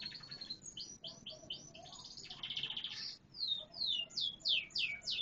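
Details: Canary in full song, mixing quick repeated upsweeping notes and a rolling buzzy trill, ending in loud sharp descending whistles delivered at a brisk, even pace.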